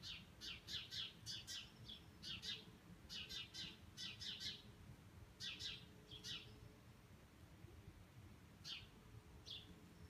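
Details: Thousands of bramblings migrating in flight over Cornol give short, bright chirping calls in loose bursts, several birds overlapping, over a low background rumble.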